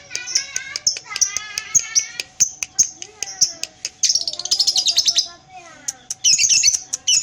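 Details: Pied lovebird with tail moving gives spaced clicks and harmonic squeaky notes, then a short burst of rapid shrill chattering, followed by another high rattle near the end.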